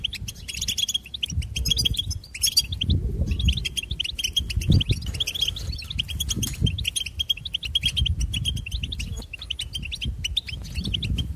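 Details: Continuous bright twittering from a goldfinch, rapid high chips, slurred whistles and buzzy trills running almost without a break, with a deep rumbling background noise underneath.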